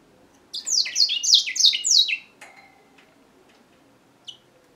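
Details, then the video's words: Grey singing finch, African, singing one brisk phrase of about seven quick falling whistled notes lasting under two seconds, then near silence broken by a soft chip and one final high note. "African grey singer finch"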